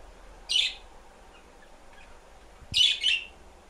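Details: Budgerigar, one of three newly arrived budgies, giving short, scratchy high chirps: one burst, then a quick double note after a pause.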